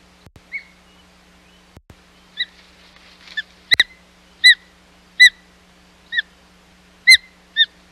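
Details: Osprey at the Hog Island nest on 25 July 2020 during an unsuccessful second fish delivery attempt: a series of sharp whistled chirps with bright overtones, coming roughly once a second, with a few faint clicks early on.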